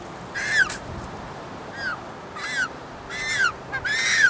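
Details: African penguins at a hillside nesting colony of hundreds near the ocean at Cape Point, many using man-made burrows; short harsh, falling, nasal calls come from several birds at irregular intervals over a steady roar of wind or surf.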